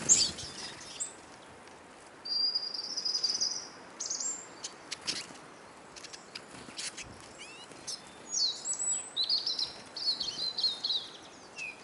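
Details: A crowd of hungry Eurasian siskins at a bird table in Kolmården, Sweden, camera on the ground beneath: long buzzy wheezing notes and high twittering chatter, broken by sharp clicks.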